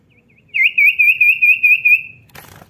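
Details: Common iora (cipow) song played to encourage lazy birds to sing: a steady high trilled whistle of about ten pulsing notes held for under two seconds, ended by a brief clattering noise.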